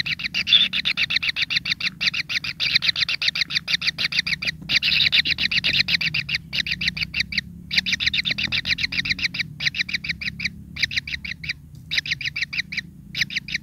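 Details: At a kingfisher nest, greedy young with emerging pin feathers keep up insistent begging for food: long runs of rapid, rasping chirps, many each second, broken by brief pauses, over steady low background noise.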